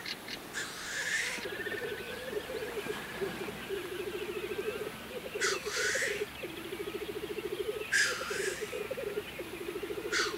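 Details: Black grouse displaying at a lek in April 2024: continuous low, bubbling, dove-like rolling coos that pulse steadily, broken every few seconds by loud hissing sneeze-like bursts, with faint thin bird calls above.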